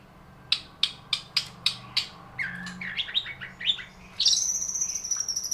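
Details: Long-tailed shrike in full song, imitating lovebird phrases: a run of evenly spaced sharp high chips, then a jumble of buzzy rising and falling notes, ending in a long, shrill, sustained high whistle with a rapid trill.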